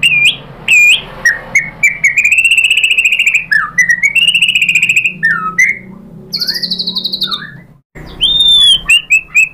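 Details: Provoking song of a White-rumped shama for getting other shamas to sing: sweeping whistles, fast trilled runs and high clear notes in varied phrases, with a brief cut near the end.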